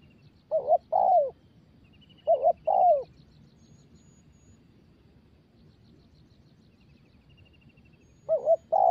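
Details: Young spotted dove practising its coo: three brief bursts of paired low coos, a short note then a longer falling one, separated by long quiet gaps with faint distant chirps.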